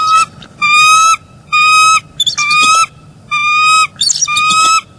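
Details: Bald eagle pair at a northeast Florida nest on an early January 2022 morning, calling as the male arrives to take over incubating eggs: long steady piping notes with ringing overtones, alternating with quick broken chatter, about once a second.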